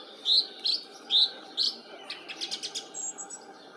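A song thrush sings clear, high phrases, with a loud note repeated in a quick pair, then a run of thinner, scratchy notes.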